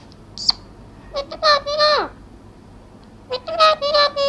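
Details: Talking parrot in India: harmonic, voice-like phrases with nasal tone, a short sharp squeak near the start, then two bursts of speech-like syllables with gliding, falling pitch.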